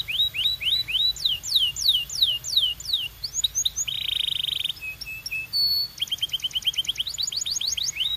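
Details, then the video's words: Varied Belgian canary song: quick rising chips lead into sweeping falling whistles, a loud buzzing rattle, a flat high note, then rapid repeated trills. "Impossible If Your Canary Does Not Immediately Sing‼️ Belgian Canary"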